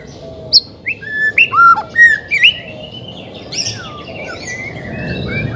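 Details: White-rumped shama trained for reluctance to sing: crisp, clear whistled notes and sharp chips delivered in a lively sequence, then softer descending slurs fading over a low background rumble.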